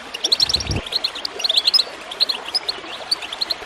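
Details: Clear, bright goldfinch chirps come in quick groups of three or four notes, played to encourage singing. A brief low water gurgle sounds near the start.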